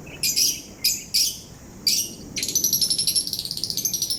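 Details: Parrot singing while grinding its beak: four separate short, high, scratchy chirps, then a rapid run of tight, repeated high ticks and whistled notes to the end.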